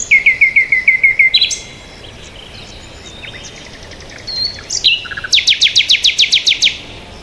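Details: Peaceful bird sounds: a fast series of about eight short descending chirps, a pause with faint thin whistles, then a rapid run of a dozen sharp high notes repeated evenly, over gentle background noise.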